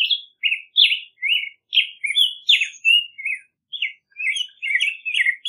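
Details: Black-headed grosbeak song: a lively sequence of short sweet whistled notes, about two per second, swinging up and down in pitch, with a brief pause before a faster closing flurry.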